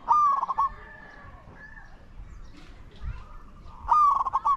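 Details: Spotted dove used as a decoy in Thailand to lure wild doves to the ground: a strong wavering coo with a sliding, trilled ending, heard twice about four seconds apart, with faint rustling between.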